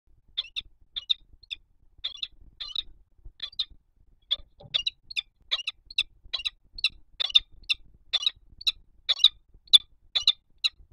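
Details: Male peregrine falcon calling to the female from the spire of the Palace of Culture and Science, Warsaw, on 5 February 2021 at 08:44: sharp, harsh repeated notes, about two per second, growing louder and quicker over eleven seconds.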